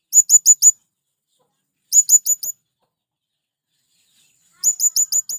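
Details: Male blue-crowned hanging parrot summoning wild birds with three bursts of thin, very high, sharp notes, four, four, then five, each burst fast and clipped, with near silence between.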